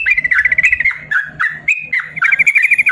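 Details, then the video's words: Yellow-vented bulbul in a cage singing a drawn-out tutor song for lazy bulbuls; bubbly chirps and trills open fast, then sharp upslurred notes and a buzzy trilled run close the phrase. "BURUNG TRUCUKAN ROPEL PANJANG||AMPUH UNTUK MASTERAN TRUCUKAN MALAS BUNYI"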